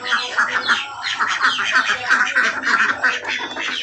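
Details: Village ducks returning home: rapid, rough quacks repeated about three times per second, many birds calling together in an unbroken noisy chatter.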